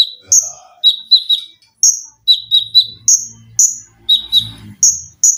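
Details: Olive-backed sunbird kept in a cage, singing a full 'tembakan' training song with 'lengkingan' and 'besetan': clusters of three rapid piercing chips and high shrill whistles, over faint low background rumble.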